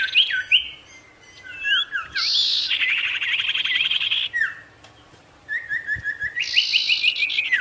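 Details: Provocative gacor sirtu song: looping whistled notes, then a dense buzzy rattle, a pause, and a steady run of short repeated chirps closing with a rising whistle.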